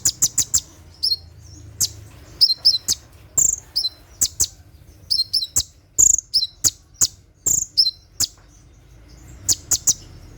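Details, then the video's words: Brown-throated sunbird (kolibri ninja) in 'tembakan' style at night: crisp high clicks and short chirp pairs scattered in uneven bursts, some louder sharp notes, with a quiet background. "SUARA TEMBAKAN KONIN SAAT DIMALAM HARI"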